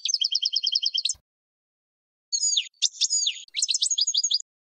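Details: A European goldfinch sings for other birds to learn from, first a fast rattling series of bright repeated notes, then after a pause a jumble of high tinkling, slurred twitters.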